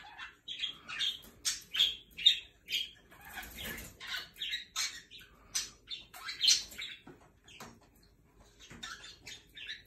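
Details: Jenday conures, kept as pets, bathing under a shower: short, harsh squawks in irregular bursts, several per second at times, mixed with wing flapping and splashing noise.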